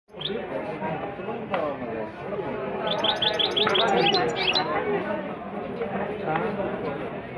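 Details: Goldfinch singing with a rolling delivery: a run of quick, bright, high twittering notes in the middle of the recording, over steady background voices and chatter.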